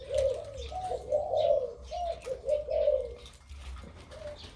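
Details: Crossbred dove with a big voice singing phrases of 2-3 'kuk' notes in kharam style: low, mellow rolling coos joined into about four phrases, with faint chirps of other birds higher up and a low background hum.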